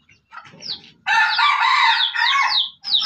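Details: Aceh junglefowl used as a lure bird: a faint chirp and low rustle, then a long loud harsh crowing burst of nearly two seconds, and a brief renewed harsh note at the end.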